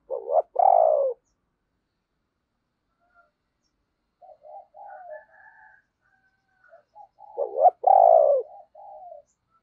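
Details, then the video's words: Cooing of a captive lure spotted dove, a thunder-voiced bird kept to draw in wild doves: a loud, hoarse two-part coo at the start, softer muffled notes in the middle, then the strong coo again near the end. "Tiếng Chim Cu Mồi Gáy Hay, Mở Lên Kích Bổi Cực Nhạy"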